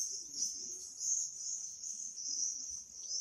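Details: Swifts singing: an unbroken thin, high, buzzing scream over soft low background noise.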